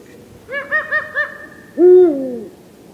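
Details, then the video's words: Eurasian eagle-owl (Bubo bubo) call: four quick, hollow notes, then a louder, longer hoot that drops lower in pitch and fades. "Vogelstimmen: Der Uhu - Eagle owl - Bubo bubo"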